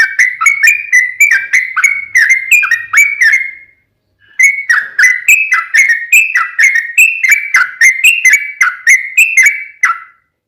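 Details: Sooty-headed bulbul song used as a lure to make other bulbuls answer: two long runs of quick whistled notes, about four per second, rising and falling slightly, separated by a half-second pause.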